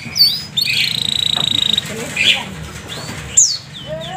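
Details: Canary song played as a lure to stimulate other canaries to sing: a rapid, even trill held high for about a second, then scattered sharp chirps and rising whistled notes, with a low murmur underneath.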